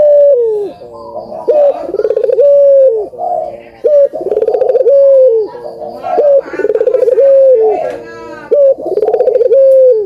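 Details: Barbary dove (burung puter) cooing, used as a lure to get reluctant puter doves to sing: rough rolling phrases ending in a clear, steady, falling hoot, repeated roughly every two seconds, indoors.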